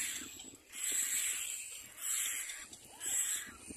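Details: At the nest, a pair of little black cormorants arrives with their chick: three rasping, hoarse bursts spaced roughly a second apart over a faint low background rumble.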